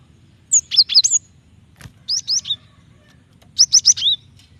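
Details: Female Java sparrow calling to provoke a male into singing: three bouts of three or four high chirps, sliding whistles ending the last bout, with a soft click between bouts.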